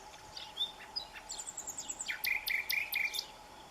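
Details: A common nightingale in spring in Salamanca, western Spain, sings a varied phrase: scattered high chips and a thin whistled series, then a fast run of loud repeated notes, over a faint steady hum.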